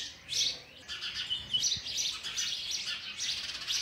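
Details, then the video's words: Chicks of a sparrow begging during feeding with oversized food; shrill, scratchy chirps in near-continuous bursts after an opening loud squeal. "Sparrow bird is trying to feed it's chicks oversized food"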